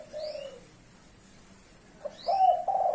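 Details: Spotted dove of the blorok leopart variety, in the five-note kuk 5 style, gives low, hollow coos that end in a sustained slightly wavering note. Faint, higher upslurred chirps from another bird sound early on.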